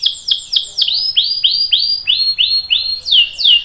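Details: Canary song for training young and adult canaries: clear high notes slurring downward, roughly three per second, turning brighter and rising toward the end.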